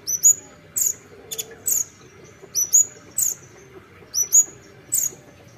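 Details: Olive-backed sunbird repeating high, thin upslurred chirps in pairs about every second, bright and piercing, with a faint clicking sound in between and low background rumble.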